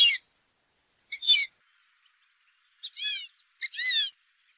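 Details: Fulvous whistling duck call, offered for hunting use: short clipped note followed by a longer, harmonic, downward-slurred whistle, heard in several separated pairs with silence between.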